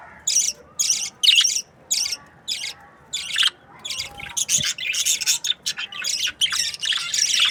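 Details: Breeding pair budgerigars chirp in clipped, evenly spaced bursts that quicken into denser, overlapping chattering toward the end.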